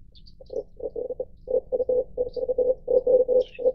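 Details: Red collared dove (Streptopelia tranquebarica) coo: low, gruff, purring coos in rapid pulsed bursts, about one phrase every second, with faint high chirps from other birds in the background.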